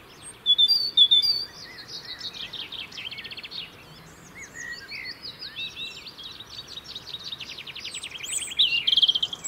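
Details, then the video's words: European robin in the UK singing to hold its winter territory: loud, high, sweet notes open the passage, then quieter scattered chirps and a final burst of rapid trills. "Beautiful song of Robins"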